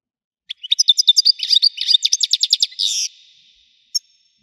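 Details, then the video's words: European goldfinch singing a rapid, lively stream of high, liquid twitters and chirps, rising into a dense buzzy phrase, then a pause and one short final note. "حسون ويداني حصري صوت مزلزل"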